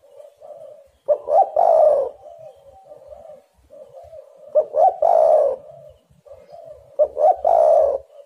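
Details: Spotted dove call used as a lure to make other doves sing: three strong phrases spaced about three seconds apart, each a quick pair of short notes then a drawn-out mellow coo, with quieter cooing filling the gaps.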